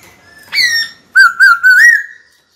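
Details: White-cheeked laughingthrush, a kept cage bird, singing to provoke a rival into fighting: one loud clear whistle, a brief gap, then a bubbling run of three wavering whistled notes ending in a long even tone.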